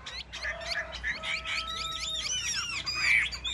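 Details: Chinese hwamei singing competitively among caged birds, a busy jumble of harsh, squawky and whistled notes overlapping, with thin steady tones running underneath.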